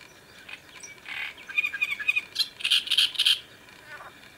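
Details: Great reed warbler song recorded on a riverbank of the Sviyaga in late May 2017: coarse, rasping phrases building into loud, repeated creaky chirps about four per second, ending in a softer grating note.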